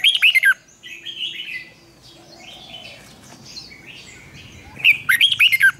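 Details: Red-whiskered bulbul, trained for competition singing, opens and closes with quick bursts of twisting warbled notes, with softer scattered chirps from other birds in between.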